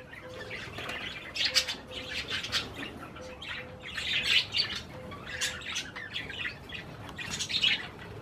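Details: Pet budgerigars eating cherry tomatoes chatter in loud bursts of rapid scratchy chirps and squawks, with a faint low short tone repeating in the background.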